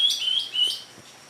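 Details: Newly caught medium greater green leafbird: a quick run of bright high whistled notes, slurred and chattering, fading out after under a second.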